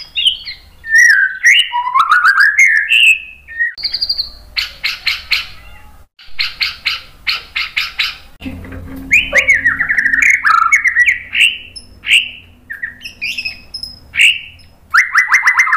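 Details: White-rumped shama song used to provoke other birds into singing: varied whistled phrases sliding between notes, bursts of rapid harsh repeated chatter, then more rich warbled whistles and sharp upward notes.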